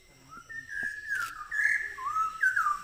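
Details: Malabar whistling thrush near a forest camp in Parambikulam Tiger Reserve, Kerala, giving loud, human-like whistled phrases that rise and fall, slurring between notes over about three seconds, praised as a lovely song for such a small bird; faint forest background.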